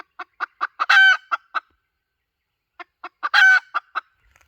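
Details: Lure call of a hen: short clucks speed up into a loud, stretched, harmonic squawk, then a few more clucks. After a silent second, the same cluck-and-squawk pattern repeats.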